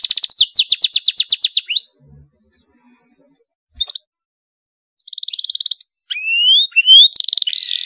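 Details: Canary singing an excited, tightly rolled song meant to set other canaries singing: fast trills of repeated high notes, then a pause with faint clicks, then more rapid trills and upward-sweeping whistles.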